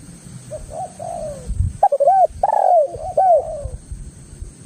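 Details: Lure recording of a spotted dove (tekukur) meant to make other doves answer: soft coos rise into a louder phrase of rolling, downward-sliding coos over low background rumble and a steady high hum.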